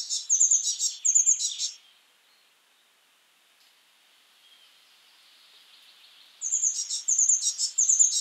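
Blue Tit song: very high, thin notes run into a quick buzzy trill. Two phrases are separated by a quiet pause of about four seconds.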